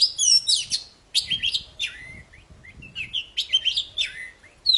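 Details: Poci bird song used to draw quiet poci back into singing: dense bursts of high, scratchy whistled notes and twittering, delivered in phrases about a second long with short gaps between.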